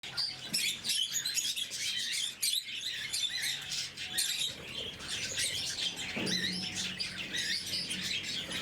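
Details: Several blue-mutation lovebirds at morning feeding, kept as pets, fill the air with dense, shrill, high chirps and squeaks that overlap almost without pause, with a brief lower rustle near the end.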